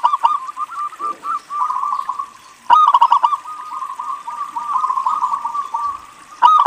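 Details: Local Indonesian zebra dove singing vigorously as a lure to set other doves calling: long runs of quick, bubbling coo notes at a steady pitch, broken by loud sharp clicks near the start of each phrase.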